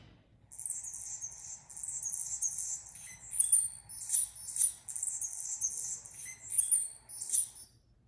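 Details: Anna's hummingbird, the common hummingbird of the area: dry, scratchy, very high buzzing phrases in bursts, mixed with thin squeaky notes, repeated over about seven seconds.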